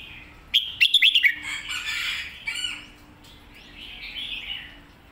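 A red-whiskered bulbul gives a quick run of bright, liquid chirping notes, followed by a burst of rustling or fluttering and then quieter background chatter.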